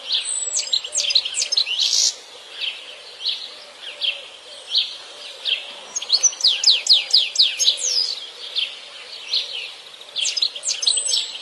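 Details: Wild European goldfinch singing in nature: bursts of rapid, high, tinkling twitters and buzzy trills, with short pauses between phrases and a quiet backdrop.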